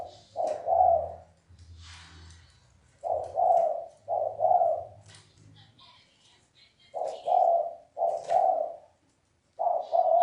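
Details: A spotted dove's 'sấm chuông' style cooing, meant to excite cocks, hens and freshly trapped birds: low, mellow doubled coos come in uneven bursts with gaps, over a low droning hum and faint background noise.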